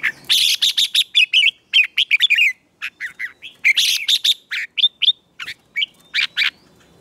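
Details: Contest-trained red-whiskered bulbul singing in the morning in a heated style; almost continuous rapid sequence of loud, sweet whistled and chirping notes, some sliding downward, in quick rhythmic bursts.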